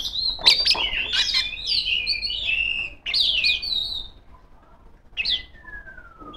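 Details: Female Oriental magpie-robin, a caged singing bird, calling out to rivals with a loud, full song: rich varied whistles and rapid chattering phrases in bursts, pausing near four seconds, then a long descending whistle.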